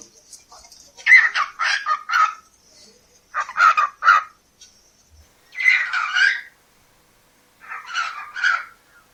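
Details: A pet cockatiel, a competitor in a Polish talking-bird championship, gives four short bursts of raspy, speech-like mimicked chatter with pauses between them, among phrases like "Good morning", "Babe" and "Love you".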